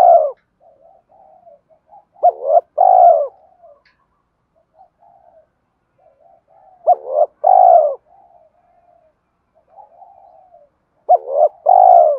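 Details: Spotted dove fighting coo for luring wild doves during trapping: three low phrases about four seconds apart, each a quick double hooked note plus a drawn coo, with soft murmuring coos in between.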